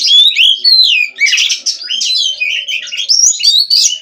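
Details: Kacer, or Oriental magpie-robin, singing nonstop: quick, upslurred and downslurred whistles alternating with rasping buzzy bursts in a lively, ever-changing phrase.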